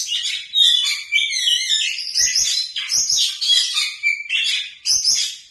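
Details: Oriental magpie-robin singing in a rich, showy style. A dense, rapid stream of varied high notes: fluttering trills, sharp whistles and buzzy phrases tumble together with barely a pause, and only a few soft low taps are heard beneath.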